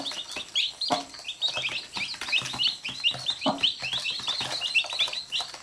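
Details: Chicks with their mother hen, the chicks biting her and the hen pecking back: dense, rapid high peeps overlap continuously, with a couple of short low clucks near the start and middle.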